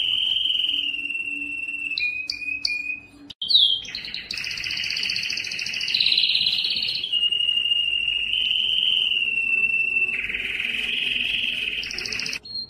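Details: Yellow canary's long song: short chips and trills, then extended rolling trills and sustained whistled passages at a high pitch, with a brief break near the middle.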